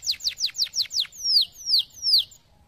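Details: Canary singing five quick, sharply falling whistled notes, followed by three longer, slower slurred notes that drop in pitch.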